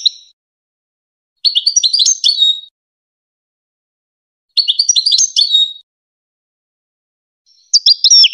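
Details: Goldfinch singing to tutor young hybrid chicks: busy phrases of tinkling, twittering notes, each about a second long, returning roughly every three seconds with silence between.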